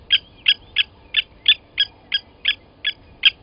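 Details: Ten crisp, anvil-like clinks, roughly three per second, from blacksmith lapwings at a Sabi Sand Wildtuin waterhole, South Africa, 07:47 on 29 August 2020, as one adult seizes a chick from its nest and kills it; quiet background.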